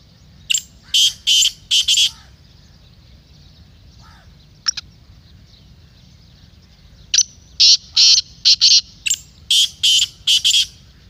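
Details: Black francolin calling, used to set a kept teetar calling for chakri: a phrase of four scratchy notes, a quiet stretch with a faint click, then a long run of about ten harsh, loud notes.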